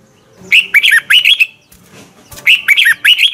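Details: Red-whiskered bulbul morning song, the 'giọng kép xoắn' double twisting voice, meant as a lure for training other bulbuls: two loud phrases of fast, chirpy, looping whistles with a short gap between them.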